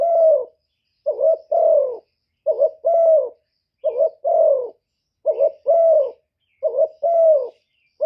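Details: Spotted dove decoy cooing in gáy gù fashion, meant to provoke other doves to respond. Six deep two-part phrases, a short quavering note joined to a falling coo, repeated at a regular pace in silence.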